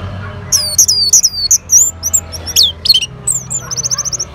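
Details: Orange-headed thrush reacting to a lure sound with rich, varied high song: looping whistled slurs, downward sweeps, and a closing rapid stutter of repeated notes, delivered almost without pause.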